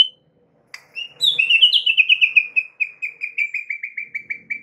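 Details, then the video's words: White-rumped shama song played as a lure to make other shamas sing, a sharp opening note followed by a long fast run of clear slurred whistles that gradually lower in pitch. "PANCINGAN Murai batu untuk MEMIKAT murai lain AGAR GACOR dan TAMBAH ISIAN"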